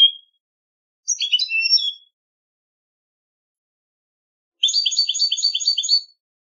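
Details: European goldfinch in a singing competition: a brief twittered phrase, a long pause, then a rapid run of about six repeated tinkling note groups.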